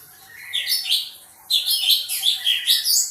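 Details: Short stretch of sooty-headed bulbul song: after a brief quiet start come quick looping chirps, then a rapid train of clear, bouncing notes.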